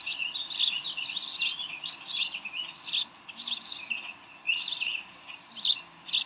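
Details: Bald eagles at their nest in Decorah, 18 May 2012, around 7:45 pm, during tug-of-war and play: high, thin chittering chirps in uneven bursts, roughly eight phrases in six seconds, with quiet background.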